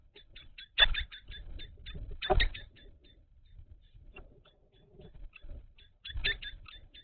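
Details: Common kestrels at a nest box on 17 May 2023, with the female brooding, the male visiting and food transfers of mice: thin, high chips repeated in quick bursts, with soft thumps and scuffling between them.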